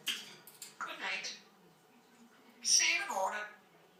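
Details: African grey parrot talking indoors: short speech-like syllables, a sharp burst near the start and a louder two-part phrase with a falling tone near the end.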